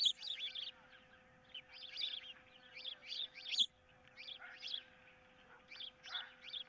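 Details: Two ospreys disputing a fish at the nest on 15 April 2023, an intruder of some kind nearby: rapid series of sharp, high chirps in uneven bursts, with brief gaps and faint steady hum beneath.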